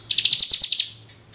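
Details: Hill prinia lure call for encouraging other prinias to sing: one rapid, buzzy trill of about ten pulsed notes that fades away at the end.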